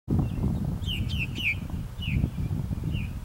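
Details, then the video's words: Three newly feathered purple martin nestlings in a backyard give short, slurred, buzzy chirps, a quick run of four then two more spaced notes, over a loud low rumble of handling or wind noise. "Purple Martin Babies"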